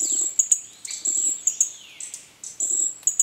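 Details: High, thin, sharp notes from a green-backed flowerpecker, repeated in quick clusters, with gliding downward tones underneath and brief soft low taps.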